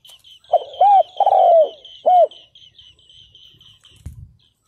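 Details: Decoy spotted dove calling to lure wild males, one full phrase of low arched and long descending coos, over a steady rapid series of high chirps from another bird, ending with a brief thump.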